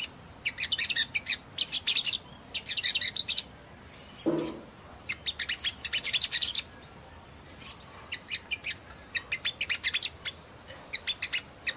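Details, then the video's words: Sogon song aimed at rousing other sogon birds into fast ngleper singing: clusters of sharp, high, crackling chirps in short bursts separated by brief pauses, with one low thump in the middle. "PENDONGKRAK EMOSI SEMUA SOGON MANA TAHAN DENGAR INI"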